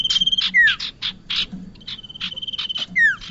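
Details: Lure sound of bar-winged prinia for catching birds: spaced buzzy bursts, two clear downward-sliding notes, and an even high whistled tone between them.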